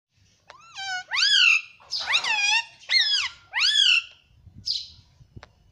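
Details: Pet parrot talking indoors: a series of five loud, harmonic, speech-like utterances with rising and falling sweeps, each about half a second long, followed by a short, breathy squeak.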